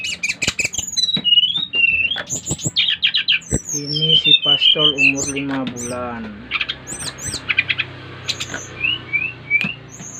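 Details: Brown-chested jungle flycatcher from Bali singing energetically, its song drawing other birds of its kind to sing; quick high chirps and slurred whistles, with a human voice murmuring low in the middle.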